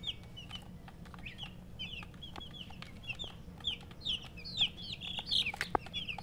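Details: Domestic chicken chicks chirping: high peeps, sparse at first then louder and denser toward the end, some notes slurred downward, with low hum and light clicks behind.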